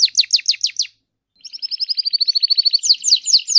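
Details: Canary singing, one of three master songsters: a run of quick falling notes, a short pause, then a fast rattling trill that accelerates into bright repeated sweeps.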